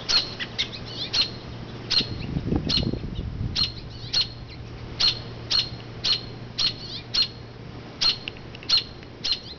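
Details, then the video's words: Mother robin on a branch near her low oak nest, calling loudly to draw attention from the nest as people walk past; steady series of sharp high chirps roughly every half second to second, with a brief low rustle partway through. "Chirping Robin"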